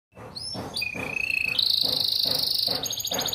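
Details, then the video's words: Canary, an AF yellow bird described as a lively singer with fill-in song, gives a fast, high song: a few rising whistles, a level whistled note, then a long rapid buzzy trill near the top of its range. Faint low thumps sound underneath. "KENARI AF KUNING ISIAN GACOR"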